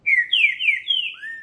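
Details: A captive male Green-winged Saltator sings again after moulting, still mid-moult, on 30 March 2021. He gives four loud, clear whistles that each slide downward in quick succession, then ends on a softer, lower note that rises.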